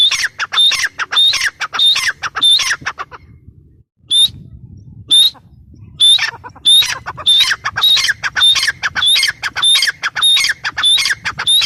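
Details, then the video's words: Grey francolin calling insistently: harsh squawking phrases each led by a thin high whistle, a short pause midway, then the rhythmic series resumes and continues. "Teetar ki awaz | gray paryridge sound | francolin voice"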